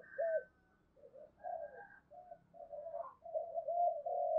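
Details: Decoy spotted dove performing its range of coo types (thúc, gù, gáy gọi). Quiet, low, hollow cooing notes follow one another closely and grow stronger toward the end, over a faint background rumble.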